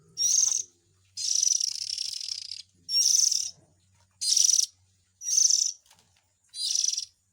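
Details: White-rumped shama young begging-type calls used as a lure for parent birds: six hoarse, hissing high bursts, one drawn out to nearly 1.5 seconds, with faint low hum beneath.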